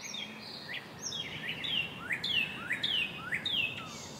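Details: American robin adults feeding young in the nest: loud, clear downslurred chirps mixed with short rising squeaks, delivered in an uneven run of roughly eight notes, with a few faint clicks.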